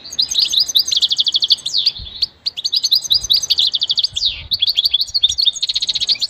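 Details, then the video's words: Goldfinch singing for training in a quiet setting: fast liquid twitters, rattling trills and a few sweeping downslurred notes in continuous bursts, with brief pauses between phrases. "Enjoy the beauty of the goldfinch and listen to the most beautiful motivational"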